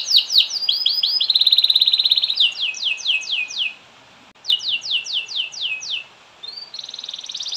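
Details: Canary in long continuous song meant to trigger singing in other canaries: rapid trills and a sustained buzzy note, series of falling slurred whistles, short pauses, then a rising high trill.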